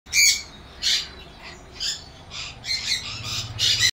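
A cockatiel gives harsh, screechy chirps in quick bursts, about one or two each second.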